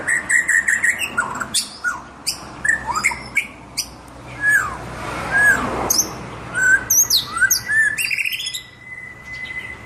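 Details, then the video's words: White-rumped shama (murai batu) in lively song: varied clear whistles, rising and falling slurs and sharp high notes in quick phrases, opening with a run of repeated whistled notes, with a faint steady tone in the background. "murai batu gacor ciamik"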